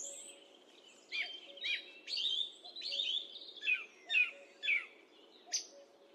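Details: Song thrush song recorded on a high definition microphone: a series of similar descending whistled notes repeated roughly twice a second, ending in a sharp high note, over a faint hum.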